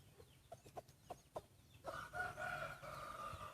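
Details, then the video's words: Rooster crowing in a contest of main breeding roosters, its first; a harsh, banded crow begins midway and holds about two seconds after sharp clicks and repeated high, falling chirps of small birds. "mloog suab qaib qua ua si ประชันเสียงขันพ่อพันธุ์หลักครั้งแรกเสียงขันดีมากๆ"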